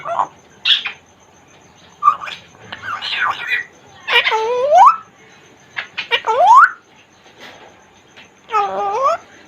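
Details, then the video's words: Caged African grey parrot, a Congo grey, talking: a string of speech-like phrases with rising and falling tones, several sweeping upward glides, separated by short pauses, indoors. "african grey parrot talking in cage | Talking congo grey parrot"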